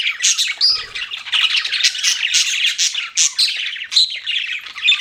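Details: Pet budgerigars chirping: dense, continuous chatter of scratchy, buzzy notes and squawks with quick whistled inflections, several birds overlapping without pause.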